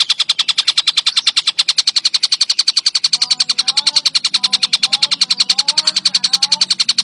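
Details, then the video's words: Kingfisher calling vigorously: a loud, fast, steady run of sharp, metallic pulses, about seven each second, continuing throughout, with softer, lower chirps from other birds joining halfway. "TENGKEK BUTO IJO | GACORR"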